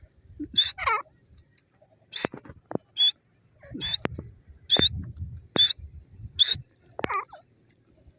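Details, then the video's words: Pakistani grey francolin, or teetar, calling in repeated short harsh high notes spaced irregularly, mixed with low knocking sounds and a couple of wavering chirps. "grey francolin bird lovely sound,pakistani teetar ki awaaz"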